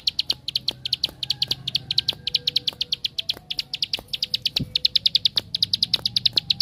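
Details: Ciblek sawah, the bar-winged prinia, singing in 'tembakan' style as a lure for other prinias: a rapid, slightly uneven series of shrill chips, with a few soft thuds and a low hum behind.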